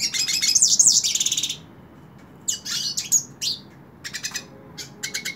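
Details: Hooded siskin held in the hand, singing bursts of bright, high twittering and trilled phrases with buzzy rising notes, separated by short pauses, ending in clipped repeated chips.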